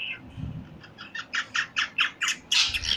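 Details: Parrot giving a run of short harsh squawks, about three per second, growing louder, over a faint low rumble at the start.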